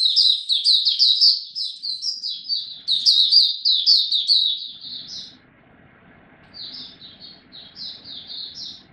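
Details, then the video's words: Song display from a caged Oriental white-eye, a fast stream of high twittered notes for about five seconds, a quiet gap with low background hum, then softer chirps resume. "Mata Puteh Buka Sing"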